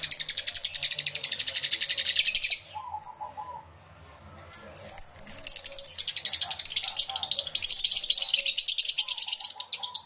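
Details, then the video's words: Many lovebirds in an aviary, recorded with a camera and two external microphones; dense, rapid shrill chattering repeated about three times a second, a brief lull with a few lower notes, then the high-pitched chatter returns. "1 Hour Lovebird Sounds Aviary Series V1"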